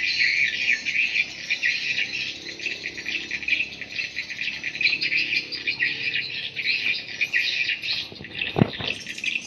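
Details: Lure sound for swiftlet houses: swiftlets give a dense, pulsing chatter of high, scratchy chirps throughout, with a single sharp knock near the end.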